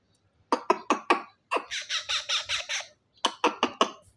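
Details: Baby parrot making sweet sounds: short rasping squawks in quick bursts of four, then a longer series of harsh, nasal calls, then another quick burst of four.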